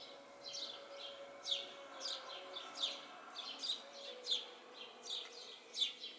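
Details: House sparrows in a tree in a home yard, giving a loose string of short, bright chirps, several overlapping and unevenly spaced, roughly one per second, over a faint steady low hum.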